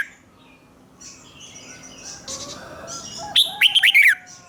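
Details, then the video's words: Red-whiskered bulbul singing a Thai 'rik' doubled-phrase style song, played for young birds to copy: after a quiet stretch of faint distant chirps, one bright quick phrase of five or six slurred whistled notes near the end. "นกหัวจุกนกร้องริก เบิ้ล3"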